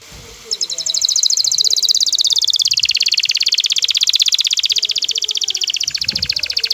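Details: Excited male canary singing to bring a female into mating posture: a sustained, very fast pulsed trill, steady and rolling, with faint low background noise.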